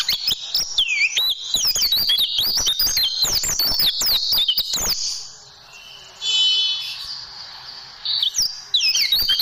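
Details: ['Pleci, the oriental white-eye, singing tembakan-style song for training caged birds: about five seconds of hurried shrill twittering and sliding whistles, then a quiet gap with one short buzzy note, before the twittering briefly resumes.']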